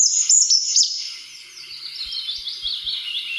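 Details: RSPB recording of a European robin singing vigorously: thin, high, twinkling notes tumbling quickly, then softer fluttering warbles, with a few faint low knocks in the background.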